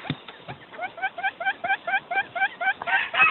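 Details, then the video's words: A quail lure call: a quick run of short, slurred chirps, about six per second, with a harsher burst at the end over faint background noise. "Suab ws quaj zoo 99%, tiếng chim cút mồi chuẩn 99%"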